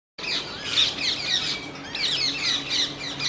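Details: Indian grey hornbills during a mating attempt lasting over a minute; harsh, rasping squawks repeat rapidly in overlapping bursts, high and noisy, with steady background hum.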